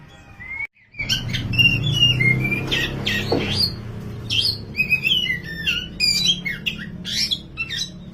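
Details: Oriental magpie-robin of the dahit/wulung type, a tutor recording of vigorous song: loud varied whistles, slurred rising and falling notes and harsh squawky bursts in quick succession over a steady low hum.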